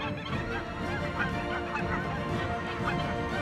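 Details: In the Arctic tundra in mid-August, as autumn begins and fog lingers, a flock of geese starting its flight south gives a dense, overlapping chorus of nasal honks, several every second, possibly over soft music. Finding: Goose.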